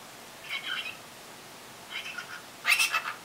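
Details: Pet cockatiel, six months old, chattering as if reacting to its own voice: two soft scratchy murmured bursts followed by a louder, brighter squeaky burst near the end, against quiet room background.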